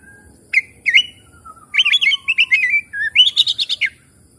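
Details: Oriental magpie-robin, lure song meant to start stressed, non-singing birds: two sharp whistles, then a long tumbling sequence of quick warbled and trilled notes with a thin descending whistle underneath.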